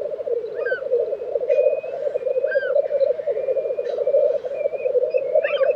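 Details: Black grouse lek, Tiveden, Sweden, April 2023: a dense, even bubbling chorus dominates, with scattered soft hisses and brief thin whistles from other birds.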